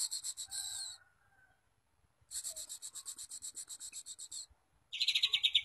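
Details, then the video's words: Lure song of a white-rumped shama, meant to stir other shamas to sing: dry, rasping, rapidly pulsed bursts, with a brighter fast trill at the end. "Suara Pancingan murai batu YANG EFEKTIF dan sudah SUKSES jadikan murai lain gacor dan kuat mental"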